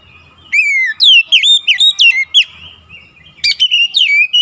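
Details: Kacer persistently unloading its isian repertoire: a long slurred whistle, then a rapid run of sharp, descending whistled notes, a brief lull, and another bright chattering burst.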